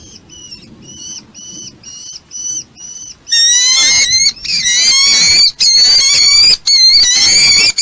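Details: Red-footed falcon on a live nest camera at Polgár, Hungary, at the nest with its family; a string of evenly spaced, thin harmonic notes gives way to loud, strained, rasping calls in rapid overlapping bursts.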